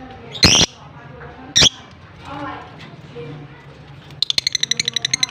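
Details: Pet lovebirds, a blue personata and an albino, in Larkana, Sindh, recorded October 25, 2023: two sharp shrill chirps, then a quick run of a dozen rapid high ticking notes at the end, with faint voices in the background.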